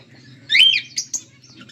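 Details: A budgerigar from a pet pair gives one loud, twisting, squeaky chirp followed by two short sharp notes, a low electrical hum beneath.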